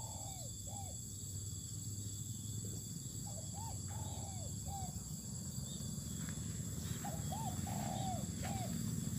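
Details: Spotted dove out sunning on open land, cooing twice in the same pattern: a few short rising-falling hoots, a long sliding note, then a closing hoot, against constant cricket drone and rustling.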